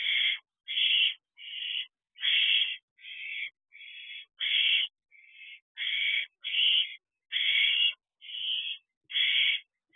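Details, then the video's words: Wild barn owl owlets in a nest box, near fledging, calling for more food at 3:41 am on 30 May 2023. Harsh, hissing screeches come steadily, about one every 0.7 seconds, with no other sounds. "Owlets Calling For More Food"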